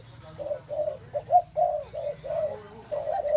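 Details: Spotted doves in a setting full of their calling: low, mellow coos repeated in a steady series of short rounded notes, with a brief higher accented note near the middle, over a faint low background hum.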